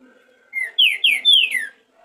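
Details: Green-winged saltator warm-up ('esquenta') recorded as a 2023 professional rehearsal: a single phrase opening with a softer whistle, then three strong, slurred notes each sliding downward, the last longest and falling furthest.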